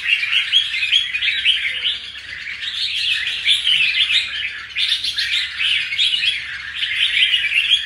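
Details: Caged red-whiskered bulbul that has just finished its first wild molt, singing with lively spirit: a dense, continuous stream of quick chirps and warbled notes, rising and falling in busy bursts for the whole stretch, with no other clear sounds.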